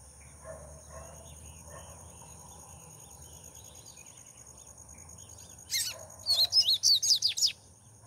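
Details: Double-collared seedeater singing on a hand. After quiet background murmur, a sharp high burst of quick, rising and falling twittered notes lasts under two seconds, with a constant high whine behind it.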